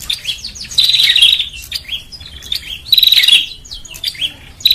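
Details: Lure recording of a bar-winged prinia for drawing birds: two long harsh, buzzy rattling outbursts about two seconds apart, with quieter chirps and slurred notes around them.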